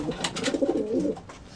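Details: Homing pigeon of a racing loft's flying team, recorded September 2017 while the birds raise chicks after the season: one rolling, throaty coo lasting about a second, low and warbling, then quieter room noise.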